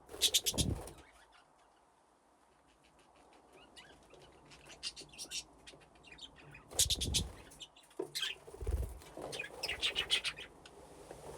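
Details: Budgerigars playing in an aviary with nesting boxes: bursts of high, scratchy chirping chatter separated by a quiet stretch, with heavy thuds and fluttering from birds moving about.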